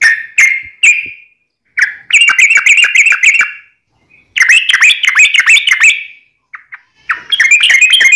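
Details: Yellow-vented bulbul from the wild singing a vigorous fighting song: short whistled notes, then long runs of rapid, bubbly chattering phrases broken by brief pauses.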